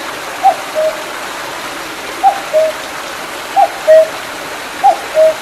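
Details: Mountain cuckoo by a rain-swollen little stream behind Mandeok-dong in July 2019, giving its falling two-note call four times at regular intervals, clear above a constant wash of flowing water.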